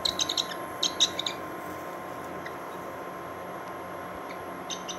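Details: Thin, high peeping bursts from a Bonelli's eagle chick just hatched from its egg, filmed in Israel, come in quick clusters at the start, then go quiet before one last faint peep over a steady low hum.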